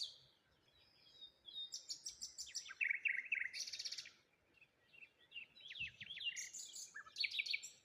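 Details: Birds chirping in the morning beside water with rose hips and a lone tree, overlapping twitters, buzzy trills and sharp rising notes coming in rapid, uneven sequences.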